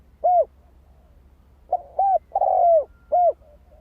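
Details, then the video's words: Spotted dove singing a cooing song used to stir up decoy birds: one arched coo, a pause of over a second, then a quick run of arched coos including one long, drawn-out falling note. "Tiếng chim cu gáy kích mồi cực sung"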